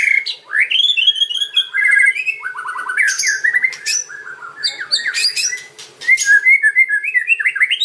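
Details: White-rumped shama song, kretekan and ocean style, meant to lure other birds: fluid whistled phrases rising and falling, quick stepped notes, high chips, and a lively warbling finish, with a light background hum.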